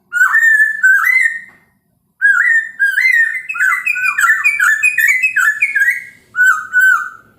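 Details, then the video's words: Chinese hwamei morning song, intended to make other birds answer: two loud whistles, a pause, then a rapid rising and falling cascade of rich whistled notes. "POKSAY HONGKONG kicau pagi hari buat EMOSI burung lain cocok untuk PANCINGAN pasti NYAUT dan GACOR"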